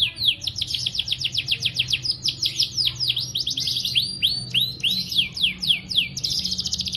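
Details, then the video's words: Canary tutor song for stimulating young canaries and those that stopped singing: quick repeated down-slurred whistles at about four per second, mixed with short chirps and a brief buzzy high roll at the end. "Masteran Kenari GACOR Durasi Panjang‼️ COCOK untuk Pancingan Kenari PAUD dan Kenari MACET BUNYI"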